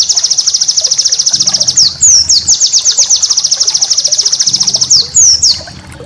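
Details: White-eye master song meant to train cage birds: long rapid trills of high thin pulses, interrupted by sharp downslurred whistles, then resuming the fast even trill.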